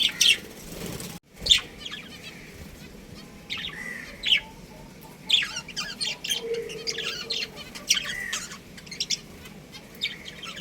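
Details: Budgerigars, a breeding pair kept as pets, chirp repeatedly: quick high tweets and short warbled notes come every second or so, growing busier and more chattering toward the end, over a faint steady hum.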